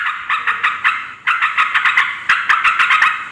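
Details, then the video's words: Noisy, chattering yellow-vented bulbul calling to attract wild birds of both sexes: dense clusters of quick, rough notes delivered in two fast bursts with a short break between them. "suara trucukan ribut || ngoceh memanggil terucuk liar"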